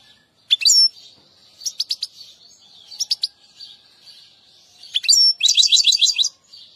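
European goldfinch singing bright, tinkling twitters in quick bursts, ending in a fast liquid trill. The background is otherwise quiet.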